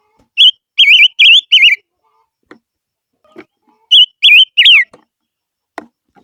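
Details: Barbet giving a lure song: four quick, wobbling high whistles, a pause with light taps, then three more whistles ending in a falling slur.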